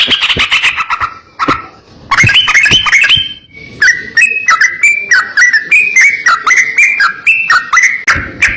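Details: Yellow-vented bulbul, a master recording for training birds: a buzzy rattle, a quick chattering phrase, then a long run of clear chirped whistles repeated about four per second, each dipping in pitch.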